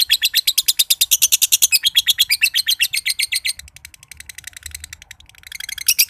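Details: Long ngekek trill by a josan lovebird from Mojokerto: loud chattering notes in rapid series for over three seconds, then a softer, quicker rattle before loud notes return.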